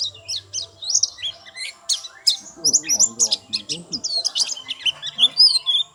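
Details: White-eye pouring out rapid, high-pitched twittering and chirped notes in quick succession, with a few faint lower murmuring sounds underneath.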